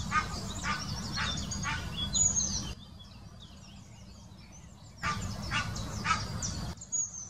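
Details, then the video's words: Egyptian goose in the Wittlicher Senke, 2018, mating call: two bouts of raspy honks at about half-second spacing, separated by a quieter gap of high bird twittering, over low background rumble. "Der Paarungsruf des Nilgans"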